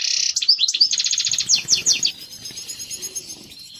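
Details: European goldfinch mating song intended to prompt breeding: a loud buzzy note, then quick twittering phrases for two seconds, fading into soft low background noise.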